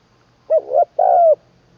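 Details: Spotted dove being trained as a decoy in Isan, Thailand, cooing in the 'khan long kuk' style with a full middle voice: a brief coo slurring into a rolled coo, a pause, then one long falling coo.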